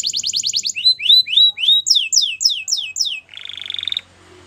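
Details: Wild canary singing at dawn, moving through distinct tours of repeated syllables (rapid high notes, then slower rising whistles, then swooping descending notes) and ending in a buzzy rattle.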